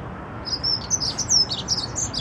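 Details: Dunnock in song within the Notre-Dame cathedral garden in Paris, delivering a fast, continuous, high-pitched jingling warble of squeaky notes lasting about two seconds, with a low urban hum underneath.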